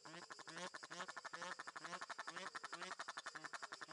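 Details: Egyptian goose in the bird garden of Upie zoo, Drôme, France, giving a fast, rhythmic cackling series of harsh honks, about four a second, loud and steady, with an insect drone faintly behind.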